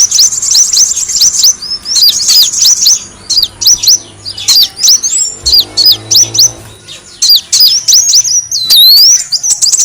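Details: Sunbird known locally as kolibri wulung, recorded as a lure sound for attracting birds: rapid high chirps and sharp down-slurred notes in dense bursts, with a few rising whistles, filling the recording.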